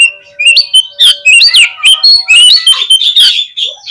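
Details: Oriental magpie-robin song used as a lure to make birds respond quickly and spread their tails: a loud, fast string of varied whistles with sharp rising and falling sweeps and bright high notes, delivered almost without pause.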